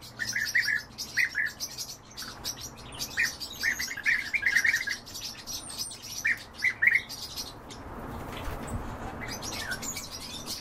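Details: European bee-eaters at feeding time give bursts of short rolling trills for about seven seconds, then fall quiet under a steady background hiss.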